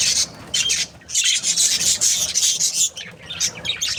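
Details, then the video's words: Happy budgerigar pair in breeding, keeping up harsh, raspy high chatter in bursts about a second long, separated by brief dips. "Happy budgies chirping sounds | parakeet breeding pair"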